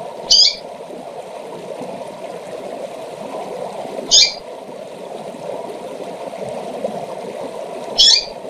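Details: Female double-collared seedeater calling to excite males: three short, high, buzzy chips roughly every four seconds, set against an unbroken low rushing hum.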